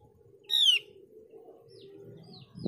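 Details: One loud, clear descending whistle from a Mees's white-eye, used to coax other white-eyes into song, followed by a steady low hum and faint thin notes.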